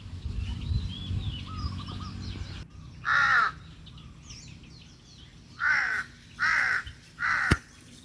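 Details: Birds heard from a small rice-field hut on a sunny, breezy day; harsh drawn-out caws, one then three in quick succession, over faint background chirps and a low rumble.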